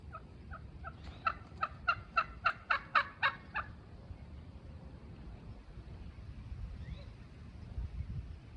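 A wild turkey gobbles: a quick, rattling burst of about a dozen throaty notes over three seconds, swelling louder, then low steady background rumble.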